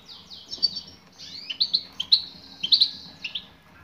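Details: Calling female European goldfinch, heard as a call to stir a male into song: a short run of sharp, high, liquid twitters, rising and falling, packed closely together.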